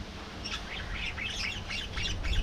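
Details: Colony of budgerigars giving continuous rapid warbling chatter: a dense run of buzzy, scratchy high syllables with no pauses, over a low background hum.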